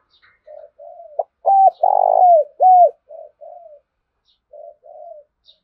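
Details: Spotted dove used as a lure caller to stimulate other doves: soft low coos, then a loud rough coo and two strong downward-sliding coos, trailing off into quieter short coos in a quiet setting.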